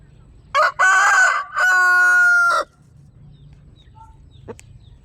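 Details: A single loud crow from a chicken, a short opening burst then a long held harsh note, then near silence with one faint click.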